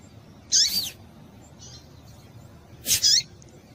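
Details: Two brief, piercing, high chirps from a female yellow-bellied seedeater, each slightly doubled and roughly two and a half seconds apart, given to prompt a male to sing; soft background hiss between them.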